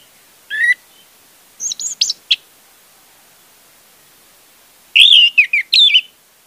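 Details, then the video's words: Orange-headed thrush song serving as a lure to get a silent thrush singing: a low whistled note, then a cluster of high thin chirps, later a loud rich phrase of swept whistles, with quiet gaps. "pancingan anis merah untuk anis merah macet"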